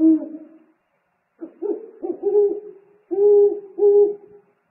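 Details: Deep, droning eagle-owl hoots with strong overtones at a nest on 3 March 2019, the male bringing food: one hoot, a pause, then a rapid series of paired hoots.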